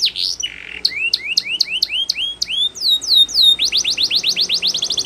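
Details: Canary training song made up of short falling notes, a harsh buzz, a string of upward-hooked whistles and a closing fast series of bright sweeps.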